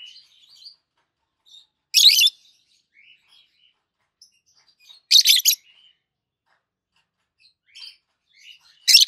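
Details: Two captive adult green peach-faced lovebirds, one red-faced, one white-faced, chirping: loud, harsh, buzzy bursts about every three seconds, with soft twittering notes between them.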